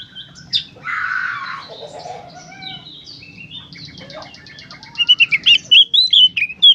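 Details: Oriental magpie-robin, used as therapy to make magpie-robins sing, giving a harsh buzzy rasp and mixed varied notes, then a quick run of loud sharp whistled chips rising and falling toward the end.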